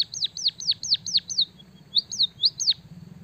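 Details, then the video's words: White-headed munia in full song, its singing filled with canary phrases: a quick run of high, sharply down-hooked chirps, about three per second, with a brief pause before a second burst; quiet background. "burung emprit kaji gacor isian suara kenari"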